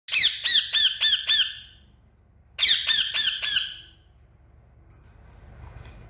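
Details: Parrot calling: two rapid series of harsh, shrill squawks, five notes each in quick succession, with a pause between bursts, then quiet background.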